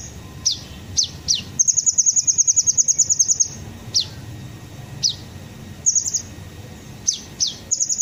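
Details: High, piercing descending notes spaced about half a second apart from a kolibri ninja sunbird, broken by a two-second burst of rapid ticking trill, used as a lure to set birds singing.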